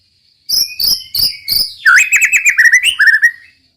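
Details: Murai batu, the white-rumped shama, in roll tembak style: four evenly spaced buzzy high shots followed by a quick, rolling, trilled warble that falls and fades.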